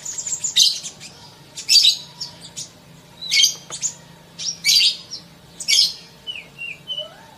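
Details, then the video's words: Sunbird masteran for prompting fast song: about five loud bursts of rapid, high twittering chirps roughly every second, each followed by short quieter notes, then a few small descending whistles near the end. "Masteran Kolibri cepat bunyi!!"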